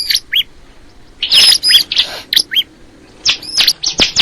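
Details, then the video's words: A Bar-winged prinia sings bright, high, squeaky chirps in quick bursts of two or three notes, separated by short pauses. "the sound of the crystal ciblek bird"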